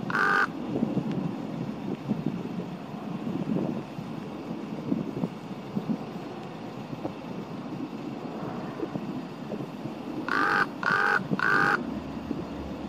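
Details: Common raven on a rainy day at Baylands Nature Preserve: one harsh croaking caw at the start, then a long pause filled with low rumble, then three more raspy caws in a rapid, even series.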